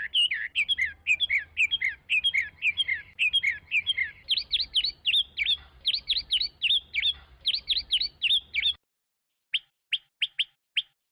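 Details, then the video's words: A Chinese hwamei sings a fast, loud run of varied whistled and slurred phrases, repeated in quick bursts, then a few separate sharp notes after a brief pause. "تغريد طائر الخوامي Chinese Hwamei"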